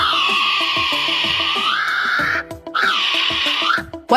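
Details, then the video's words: Kiwi call: two long, shrill, strained notes, the first held over two seconds and dipping at its end, the second shorter, over steady background music. "This is a kiwi. Its call sounds like this."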